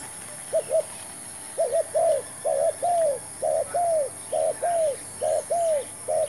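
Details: Decoy spotted dove, newly brought along to attract wild birds to a new trap, repeats mellow two-part coos, a short note then a longer falling one, roughly once a second, with faint distant chirps behind.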